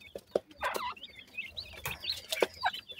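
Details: Black francolin chicks, described as dakhni and sindhi teetar chicks, feeding and playing together; short high chirps and downslurred peeps come in scattered bursts, mixed with sharp clicking taps from pecking.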